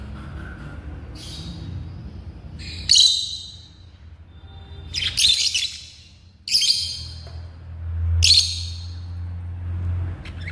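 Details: African lovebirds kept as pets let out a series of sharp, piercing squawks in bursts every second or two, with quieter chirps between them and a steady low hum underneath.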